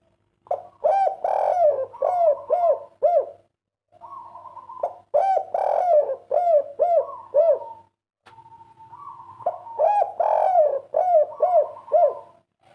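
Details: Rare spotted dove, kuk 3 style: three bouts of rapid, bouncing, arched coo notes, each bout joined to the next by a sustained level tone, with short gaps between bouts.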